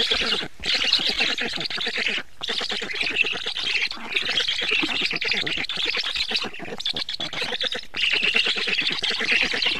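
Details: Black stork feeding at the nest, 24 June 2017, 19:52: long runs of harsh, buzzy chattering, broken by brief silences roughly every two seconds.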